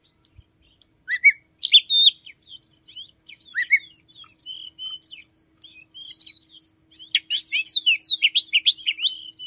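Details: A captive Oriental magpie-robin singing indoors in the morning, which starts singing around 5 am and mimics a red-headed flowerpecker, gives varied clear whistles, sweeping slurs and quick chirps, building to a fast, dense burst near the end.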